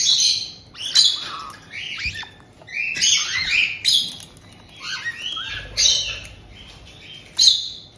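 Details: White-bellied caiques kept indoors in Tokachi, Hokkaido, a resident couple welcoming a young bird of about two months: loud shrill squawks and whistled up-and-down notes in bursts about every second or two.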